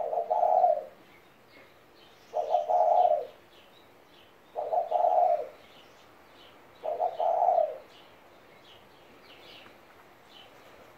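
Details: Four evenly spaced low coos from a 17-year-old pet spotted dove, repeated roughly every two and a quarter seconds, each a rolling husky phrase, with faint chirping of small birds in the distance.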